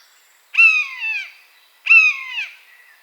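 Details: Wild buzzard in its natural habitat calling twice, about 1.3 seconds apart. Each cry is a harsh, mewing note that starts high and slides downward, fading over half a second.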